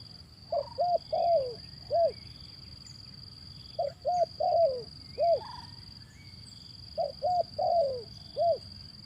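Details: Repeated zebra dove cooing phrases played to coax silent doves into singing: three bursts of four or five quick, bouncy coos, one note trailing downward in each, spaced about every three seconds, over a continuous high-pitched whine.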